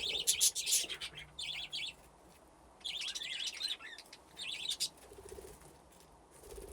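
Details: Flock of budgies, grown from two breeding pairs, playing in an aviary: busy chattering warbles in dense bursts separated by short pauses.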